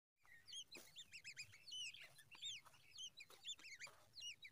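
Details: Babbler chicks begging for more food: high, thin, arched squeaky notes given in quick overlapping bursts throughout, with a few sharp clicks between them.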